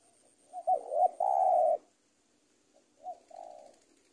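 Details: Spotted dove in a 'super penguku' tutoring recording meant to teach young birds: a wavering rising-falling note, then a loud sustained hollow coo, followed after a pause by a softer repeat of the same phrase.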